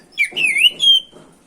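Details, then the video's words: Oriental magpie-robin singing to provoke other birds: a single sweet, wavering whistled phrase that rises and falls, ending in a steady higher note. "PANCINGAN SUARA BURUNG KACER GACOR NGEROL BIKIN KACER LANGSUNG EMOSI‼️"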